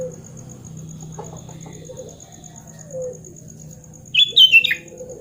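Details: Sooty-headed bulbul in lively song, used to coax silent bulbuls into singing. One brief chattering, fluty phrase comes late in the clip after soft low background noise, over a constant thin high-pitched whine.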